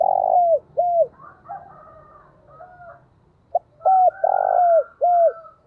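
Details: Lure spotted dove cooing to attract wild doves: strong low coos with falling ends open the recording, softer chattering coos follow, then another loud run of three falling coos around the fifth second.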